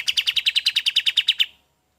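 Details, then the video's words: Golden-bellied gerygone, recorded as a training song for other birds, gives a steady string of about fifteen ringing chirps in a second and a half before stopping cleanly. "SUARA KAPAS TEMBAK"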